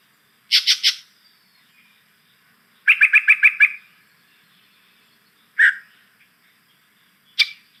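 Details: Yellow-breasted Chat, a bird making all sorts of sounds, some like a chuckle or laugh: quick bursts of three to seven rapid chattering notes, then single sharp clucks, with pauses of one to two seconds between phrases.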